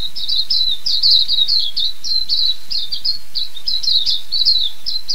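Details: Silvereye, known as waxeye, from New Zealand, singing a continuous high, rapid warble of slurred twittering notes throughout, steady and bright with no pauses.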